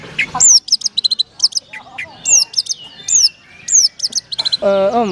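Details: A Long-tailed Shrike (cendet) named Tornado, from Madura, gives quick bursts of sharp, high chips and downslurred whistles, repeated several times a second, before a man's voice comes in at the end.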